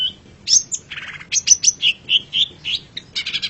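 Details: Long-tailed shrike master recording for tutoring pet songbirds: a varied, fast medley of sharp chirps, rasping notes and bright whistled phrases, delivered almost without pause.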